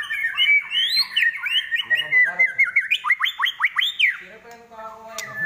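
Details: A murai batu, or white-rumped shama, at a bird gathering, delivering loud varied song: sliding whistles followed by a quick run of repeated rising notes, then softer lower tones with faint voices behind.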